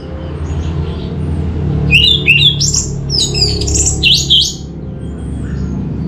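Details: Orange-headed thrush (anis merah) singing as a lure: a short burst of upslurred whistles and warbled chatter, then fading into background hum.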